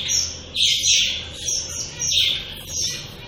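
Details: Shaft-tailed finches giving high, nasal calls that rise and fall. They come in uneven bursts about every half second to second, with brief silences between and a faint low hum underneath.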